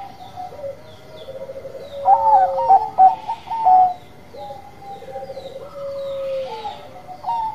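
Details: Actively singing Bangkok-type zebra dove gives bursts of quick staccato notes with rhythmic, stuttering coos around mid-pitch, followed by quieter drawn-out trailing coos, with faint higher chirps in the background.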